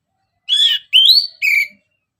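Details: Orange-headed thrush in lively continuous song, played to prompt other birds: three clear whistled phrases about half a second apart, the middle one rising, the last lower and steady.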